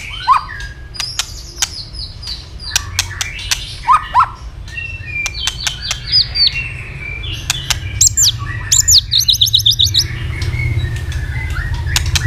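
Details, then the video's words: White-rumped shama singing its fighting song with tail flicking: many sharp clicks and brief whistles, then a high rapid trill of repeated notes, over a low background hum. "chòe lửa đập đuôi liên tục kích thích lửa hót đấu nhanh căng"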